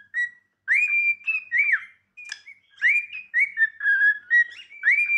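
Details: Cockatiel whistling its practice song: rising swoops, an arched slur and a series of short level whistles, steady and clean with a gap near the middle.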